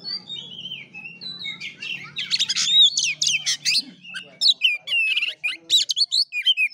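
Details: Kura kura fighting-style song from an oriental magpie-robin, starting with smooth falling whistles, then building into dense rapid chirps and sharp upswept notes, with a faint low hum early on.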